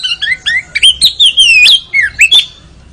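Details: Training recording of a white-rumped shama: a run of clear rising and falling whistles joined into a long warbling phrase, ending in sharp upslurred notes.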